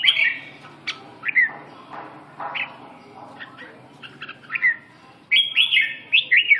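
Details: Red-whiskered bulbul just awake, giving scattered chirps and short warbled notes, then a louder run of ringing whistled phrases near the end.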